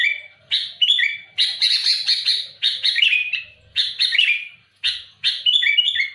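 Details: Sooty-headed bulbul singing loudly and actively to challenge rivals: harsh, rough broadband bursts mixed with short whistled phrases that dip and rise, delivered in rapid runs separated by brief pauses.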